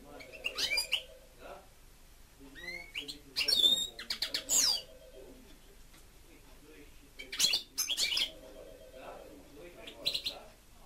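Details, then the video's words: Pet European goldfinch twittering in several bursts of high chirps and buzzy trills, with a steady mid-pitched hum between phrases. "(Goldfinch) 2. STICLETELE STICLUTZA CANTA"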